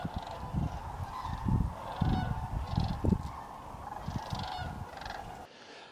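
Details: Overwintering Sandhill Cranes on the ground at the refuge near Dayton, Tennessee, December 31, 2023: a far-off chorus of purring, bugled calls pulsing every second or so, mixed with low gusty wind that fades at the close.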